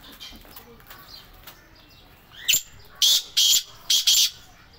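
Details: Morning call of a black francolin: after faint rustling and a brief rising squeak, four loud rasping, broadband notes come in quick pairs near the end.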